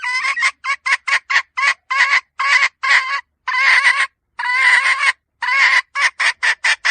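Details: A hen gives a long run of loud, raspy clucks and drawn-out squawking notes in an uneven rhythm. Brief pauses separate short bursts and longer harsh cries.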